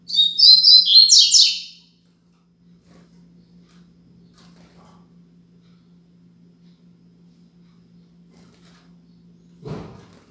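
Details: One high, rapid, trilling phrase of the Braddock tutor song 'Tui Tui Zel Zel Top' from a Double-collared seedeater, used for teaching young birds, lasting under two seconds, then a long hush broken only by a dull knock near the end.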